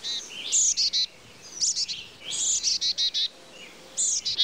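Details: A black-capped chickadee (Poecile atricapillus) gives its chick-a-dee call: a high opening note followed by quick runs of harsh, buzzy dee notes, about four repeats in a few seconds.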